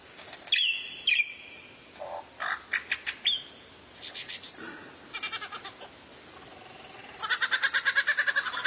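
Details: Rare bird song used as tutor material for white-rumped shama training: varied clicking trills, harsh chatters and short buzzy notes in bursts, ending with a fast rattling series of about twelve repeated notes.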